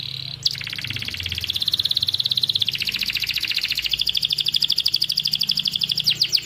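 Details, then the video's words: Canary song as masteran training for stalled canaries: a long, rapid, buzzy trill that rises and dips gently in pitch, pulsing fast and evenly for six seconds, with faint low hum behind. "kenari paud kenari macet langsung gacor"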